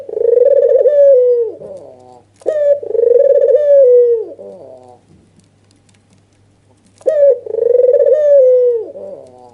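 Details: White Barbary dove with red eyes, agitated and nodding, used as a lure for doves reluctant to call: two quick rolling coos with falling ends, a silent gap of about two seconds, then a third coo, steady low hum underneath.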